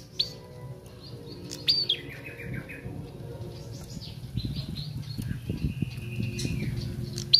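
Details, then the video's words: Young bar-winged prinia learning to sing: thin high chirps and a descending run of notes, then a long flat whistled note, over low rumbling background noise. "Prenjak Anakan/Trotol Belajar Bunyi"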